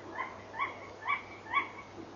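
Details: Tawny owl barking at night at 23:32, caught on a fixed camera: four short, hoarse, nasal barks about half a second apart, each with a bright band of overtones, over a steady low hum.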